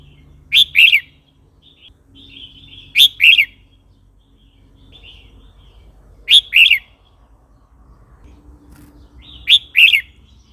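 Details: Red-whiskered bulbul song, played to provoke newly caught or wild birds and to teach young birds: four bright, whistled double-note phrases, each quickly rising then falling, spaced about three seconds apart over a quiet, faint low hum.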